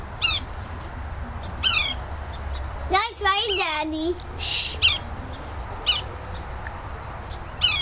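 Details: Yellow-bellied sapsucker at a tree next to a house in Woodlawn, Montgomery County, Tennessee, giving short, nasal, harmonic squeals every one to two seconds, with a lower, wavering burst midway, over a steady low rumble.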